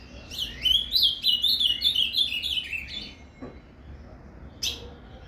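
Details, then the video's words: An ultramarine grosbeak (azulão) sings a Paraná-style "fibra" song, used to warm up other azulões: a fast, sweet warble of slurred whistles for about three seconds, then silence, one brief note and a soft click. "ESQUENTE seu AZULÃO com esse PARANÁ CANTO FIBRA !"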